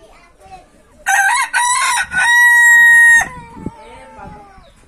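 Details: Rooster crowing: a loud cock-a-doodle-doo with two short rough syllables, then a long steady drawn-out final note, followed by quiet background noise.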